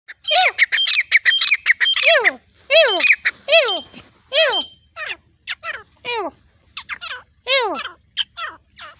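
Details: Grey francolin in Pakistan giving loud, harsh, ringing calls in quick repeated bursts, several notes overlapping.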